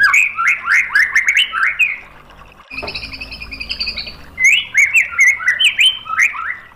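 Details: Rapid, varied whistled phrases from a white-rumped shama, in a training recording meant to stir birds to reply. A steady high tone fills a pause midway before the chattering, swooping song resumes.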